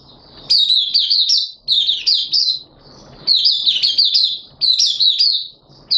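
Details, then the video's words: Malaysian Oriental white-eye (mata puteh), a hobby bird in happy 'buka sing' song display, 25 February 2023: bursts of rapid, high, tumbling chirped notes in phrases about a second long, separated by short pauses, over a faint low hum. "Malaysian Mata Puteh Happy Buka Sing"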